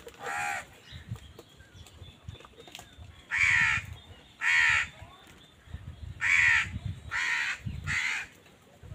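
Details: Crows fighting over food with wild birds: one caw, a gap with low rumbling background noise, then a cluster of five harsh caws.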